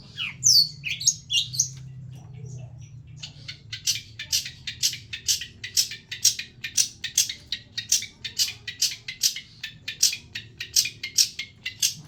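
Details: Long-tailed shrike with old-style song material: a few high squeaky notes, then a long series of rasping, scratchy chatter bursts repeated roughly twice a second.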